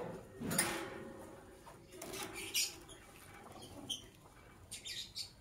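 Lovebird giving harsh, scratchy, shrill chirps in short bursts a second or two apart, over a soft hiss of background noise.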